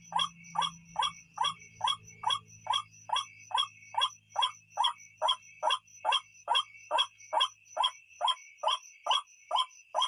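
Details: White-breasted waterhen call played at night to lure birds: about twenty-four regular rasping croaks, a little over two per second, with a persistent shrill insect-like drone and a low hum fading during the first seconds.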